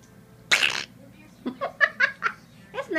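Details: Zaz, a pet Congo African grey parrot, upset at bedtime over being told to finish his pumpkin seeds before an almond, gives one short, raspy, broadband toot like a blown raspberry, followed by a woman's voice speaking.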